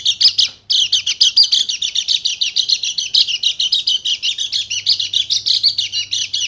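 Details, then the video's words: Rapid run of piercing high chirps from a Dakun Bali white-eye, used to stir silent birds into song; after a short opening burst and a break, the notes pour out steadily for six seconds without pause. "PANCINGAN PLECI MACET BUNYI JADI EMOSI DAN GACOR"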